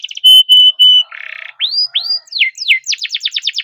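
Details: Canary raised at home, singing continuously as a prompt for quiet canaries: three sustained flat whistles, a low buzzy rattle, rising arched notes, then a quick run of falling slurs.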